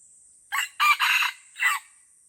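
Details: Red junglefowl crowing in Lamteuba forest, Aceh, during a fight between wild birds: one brief note, a drawn-out harsh double phrase, then a dropping end note after a pause, with a thin constant insect whine behind.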